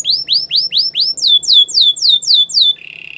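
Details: Belgian canary delivers rising whistled notes, then a run of sharply falling sweeps at a steady pace, closing with a short buzzy trill.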